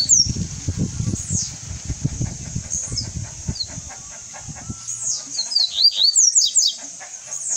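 High, thin whistled notes and quick downslurred sweeps from a seedeater, growing busier toward the end, over low fluttering thumps near the start.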